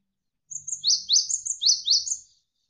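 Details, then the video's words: Javan sparrow, kept as a lively tutor bird for training other songbirds: a quick run of high, sharp chirps, each a bright downward-sweeping note, paired and repeated for about two seconds with no other sound. "MASTERAN GELATIK WINGKO Gacor"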